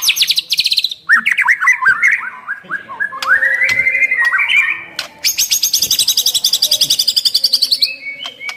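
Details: White-rumped shama in full, richly varied song used to provoke other shamas into singing: fast buzzy trills, slurred whistled phrases around the middle range, then a long rapid high rattle-like series of repeated notes.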